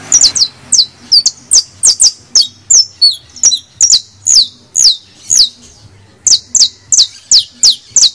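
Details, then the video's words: Creole canary kept as a pet, sung to encourage other canaries: steady run of bright, sharply falling chirps, some doubled, about two per second, with a short gap before the series resumes, faint low background hum. "AUDIO para ALEGRAR a nuestro CANARIOS CRIOLLO, bastos, finos, criollos"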